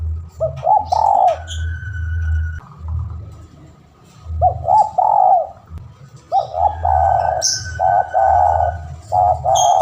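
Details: Spotted dove, a lure recording of a vigorous calling bird summoning a rival: several mellow multi-note coo phrases, each a few short rising notes into a longer drawn-out coo, over a steady low hum.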